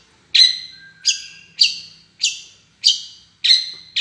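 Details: Long-tailed shrike calling with a series of loud, harsh, scratchy notes, each falling away quickly, repeated about every half second in a fairly even rhythm.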